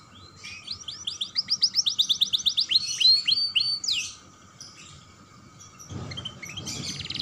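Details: Young canary in full song, meant to set other canaries singing: a quick series of bright, high chirped notes building into a loud run, fading to scattered notes with a brief thump near the end.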